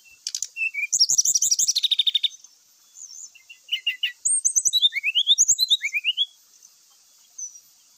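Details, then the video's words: Brown-chested jungle flycatcher lure song meant to make other males fight: a fast run of repeated chattering notes, then a brief pause and a lively series of rising and falling slurred whistles. "SULINGAN NYA BIKIN SRDC LAIN KOCAR KACIR IKUT TARUNG, PANCINGAN AMPUH SRDC AGAR CEPAT BONGKAR ISIAN"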